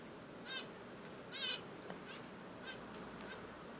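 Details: Budgerigar calling with two clear, ringing chirps close together, followed by fainter chirps and a soft click against low background noise.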